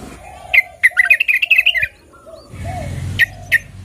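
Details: A single sharp note, then a second of fast bubbly chatter, followed later by two more clipped notes, from a female yellow-vented bulbul calling the male.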